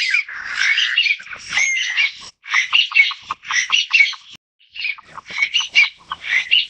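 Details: A Taiwan bamboo partridge repeats loud, grating notes in quick runs, with two brief pauses splitting the series into separate bouts.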